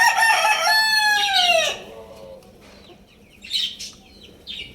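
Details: A full, loud crow from a Lohmann Brown rooster opens the recording, a rough rising-and-falling cry of about one and three-quarter seconds. A few soft, high chirps from small birds follow.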